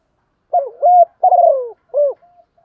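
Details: Spotted dove, a female, calling to attract males: a short phrase of low, mellow coos, a quick pair followed by a longer wavering coo and a final clipped note, in quiet surroundings.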